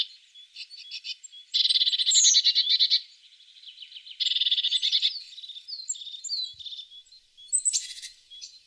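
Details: A tit utters bursts of rapid churring trills, separated by softer twitters and thin high notes, with a short harsh burst near the end.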